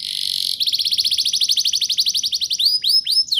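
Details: Canary song played to encourage young birds to sing, opening with a steady buzzy trill, then a quick rolling series of upslurred notes about four per second, ending in a few sharp rising whistles.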